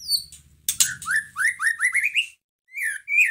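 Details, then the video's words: White-rumped shama, used as a lure for a sluggish bird, bursts into loud harsh notes followed by a quick ladder of bright upslurred whistles rising in pitch, with a low rumble early on. "Pancingan masteran pendongkrak emosi murai batu loyo langsung nyahut Gacor"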